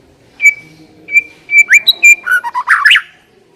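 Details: White-rumped shama song played as a lure to prompt another shama to sing: steady high whistles repeated, then a burst of harsh, scratchy, tumbling notes.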